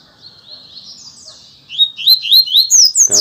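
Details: A captive Double-collared Seedeater sings a soft high buzzy run, then clear rising whistled notes at about four per second, ending in a louder burst; its song count is about 7 per minute, 15 songs in two minutes.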